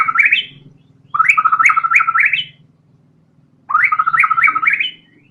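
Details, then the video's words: Murai batu, a white-rumped shama singing nonstop in fighter style: three bright phrases of quick rising, bubbling whistled notes separated by silences, a faint low hum underneath. "TEMBAKAN MURAI BATU GACOR BONGKAR SEMUA ISIAN FULL FIGHTER"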